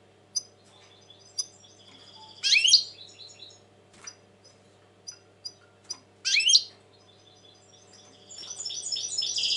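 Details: European goldfinch, described as very tense at present, giving sharp isolated tinkling notes and two loud swept, twangy bursts. Between them come soft twittering sequences, then a rising run of bright chirps at the end.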